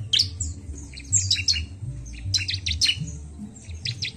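A Bar-winged Prinia sings a fast, scratchy run of high, sharp chirps and squeaky notes in quick bursts, over a low background rumble.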